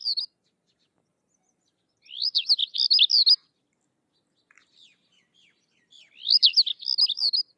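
Sykes's lark giving bursts of rapid, high jangling notes about a second long, repeated every few seconds, with soft chips between.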